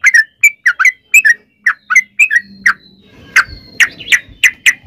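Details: Repeated short liquid chirps of a yellow-vented bulbul, used as a lure for other bulbuls, coming in an uneven series of single and paired notes with a low hum in the background.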